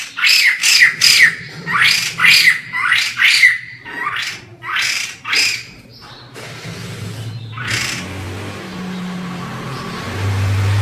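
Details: Captive white-crested laughingthrush in full active song, used as a tutor recording for other laughingthrushes and filmed from far away: a run of harsh, chattering bursts about twice a second for six seconds, then quiet background hum.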